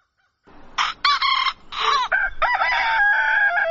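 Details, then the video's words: Dawn crowing by a rooster: several short harsh bursts lead into a sustained, wavering harmonic crow that runs to the end. "Galo Cantando Ao Amanhecer"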